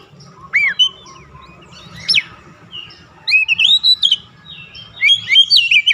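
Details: Oriental magpie-robin lure song, meant to get a stressed, silent kept bird singing again: scattered loud whistled slurs and a rising sweep between quiet gaps, with low background hum.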